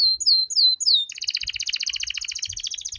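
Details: Canary master training song, full and ornate: a run of clear rising whistled slurs, then a fast dense rattling trill repeated several times a second, with soft low thumps underneath.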